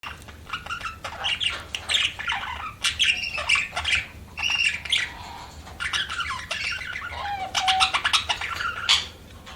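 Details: Budgerigars chirping: dense, overlapping chatter of short buzzy and whistled notes with quick rising and falling squawks, coming in bursts with brief pauses, over a low steady hum.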